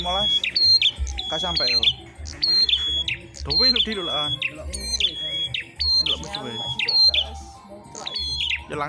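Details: Red-headed prinias in a singing contest: bright, sharp chirps repeated in irregular bursts, mixed with men talking close by and a low background hum.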